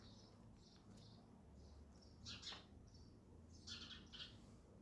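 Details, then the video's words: Sparrow at a feeder, faint high chirps in short bursts, some doubled, repeated irregularly over low background hum. "sparrow sound effect | ચકલી ઘર | chaklino avaj"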